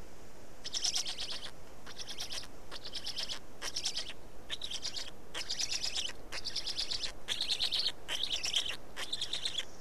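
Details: Black storks feeding at their nest in Estonia, 19 May 2019, 15:43: high, harsh, pulsed calls repeated in a steady series of roughly one-second bursts with brief pauses, over a constant low hiss.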